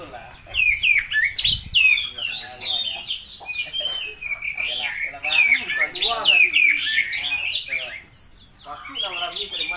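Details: Spotted oriental magpie-robin singing hard with lovebird imitation, a ten-second stream of shrill, scratchy chirps and twisting squeaks, loud and nearly unbroken, with short dips between bursts.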